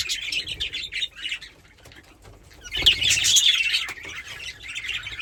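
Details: A pair of pet budgies keeps up a continuous scratchy warble of quick high chirps, briefly softer in the middle and then louder again.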